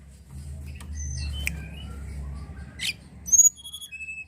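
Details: Sunda robin, recorded to lure untrained birds: soft whistles over a low background hum, a rasping note, then a descending sequence of clear high whistles.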